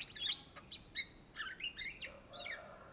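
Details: Greater green leafbird, called Cucak Ijo in Indonesia, singing energetically: dense, jumbled twittering of rapid slurred whistles and high sharp chips tumbling over one another, with no clear steady rhythm.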